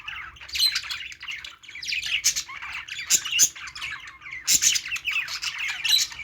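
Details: Playing budgies chattering continuously, a mix of warbled chirps and sharp squawks from more than one bird, irregular in rhythm, with steady low background hum.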